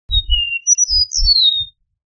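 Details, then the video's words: Eastern meadowlark song: a clear high whistle, then a lower drawn-out whistled note and a run of slurred, descending whistles, over soft low thumping noises. "Eastern Meadowlark Song! Eastern Meadowlark Call! Sounds! - Pradero Oriental Canto - Sturnella Magna"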